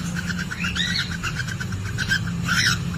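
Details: Cockatiel mating sounds from inside a nest box with a laying hen, filmed on CCTV: rapid ticking chirps with two looping rising-and-falling whistles, set against a steady low droning hum.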